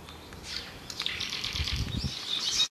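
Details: A barn swallow in Yusui town, Japan, gives a less familiar courtship-season song: a fast, high twittering warble running almost without pause, with scratchy chatter notes and low fluttering sounds underneath.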